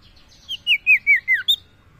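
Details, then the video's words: Common iora (sirtu) calling to a female, a quick run of five or six clear, slurred, falling whistles ending on a higher note, over a quiet background. "Suara burung sirtu mania panggil betina"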